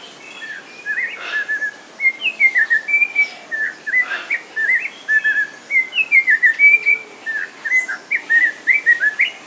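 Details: Snowy-crowned robin-chat (Cossypha niveicapilla), a caged bird at a park in Walsrode, Germany, delivering a long varied song of fluty whistled slurs and quick warbling notes in rapid bursts, almost unbroken for nearly ten seconds.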